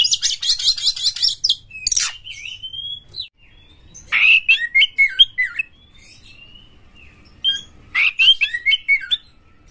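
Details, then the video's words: Oriental magpie-robin song used as a lure to get other magpie-robins singing: harsh buzzy rattles mixed with clear rising and falling whistles, delivered in loud bursts every few seconds. "suara PANCINGAN KACER GACOR"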